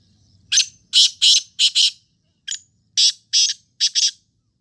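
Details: Two back-to-back phrases from a black francolin, each of five loud, scratchy notes with the last two paired closely, the second phrase following after a short pause.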